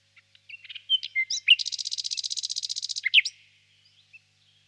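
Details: A nightingale in a birch grove on a warm spring evening: short slurred whistles build into a loud, fast, buzzing trill of about twenty even pulses lasting a second and a half, closed by a sharp downslurred note.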